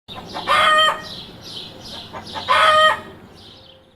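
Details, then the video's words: A chicken cackles: two loud, nasal, drawn-out squawks about two seconds apart, with softer clucking notes between them. "If you keep chickens or have ever walked past a coop, you've definitely heard this sound, cluck cluck cackle."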